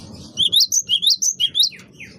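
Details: Great tit (gelatik batu wingko) in energetic lure song: seven clear, high notes in quick succession, each rising then dropping, alternating between two pitches, ending with two softer down-sweeping chirps.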